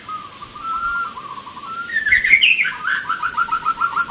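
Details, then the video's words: Local zebra doves competing in a Mentaraman-style song contest (irama Nglagu Ngepat) in Yogyakarta, Indonesia, on 19 November 2023. Mostly a low, even tone, then a rolling run of rhythmic pulsed coos, with sharp higher chirps from other birds midway. "PERKUTUT LOKAL BERTAARUNG ADU GACOR"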